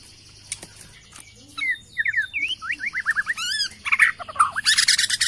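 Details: Agitated Bornean white-rumped shama answering a lure recording. After a quiet start with low background hum, it gives a series of clear slurred whistles, a quick descending rattle, then dense harsh bursts.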